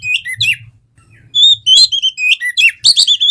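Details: Song of an Oriental magpie-robin from Indonesia, used to coax singing: a fast tumble of bright whistles, slurred upward and downward notes and clicking chatter, a brief pause near the start, over a soft low rumble.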